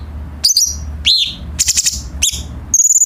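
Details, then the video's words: Cucak cungkok bulbul tutor song for captive birds: quick sharp slurred notes, a rising whistle and a short burst of dry rattling, ending in a high fast pulsed trill. "KICAU BURUNG CUCAK CUNGKOK"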